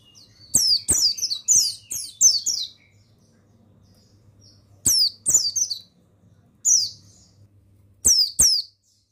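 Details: Male buxtoni mountain white-eye used to tutor and excite other white-eyes: a long run of rapid, shrill, falling chirps, then three shorter bursts of the same high twitter, each note marked by a crisp click.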